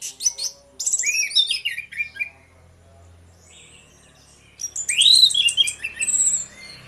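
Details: Two orange-headed thrushes singing in the morning, used as a lure to get other birds singing: varied high whistled and slurred phrases, a burst in the first two seconds, a pause, then a louder rich phrase sweeping down.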